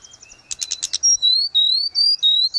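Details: Gacor grey-cheeked bulbul (tledekan gunung) from cage-bird training audio: a few rough, buzzy bursts followed by clear, loud rising whistles repeated about four times in quick succession.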